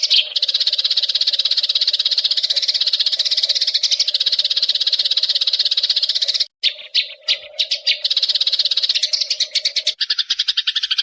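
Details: Eurasian tree sparrow in the wild: continuous high-pitched chirping chatter over a low hum, dropping out abruptly after six seconds, then resuming as looser, separate sharp chirps.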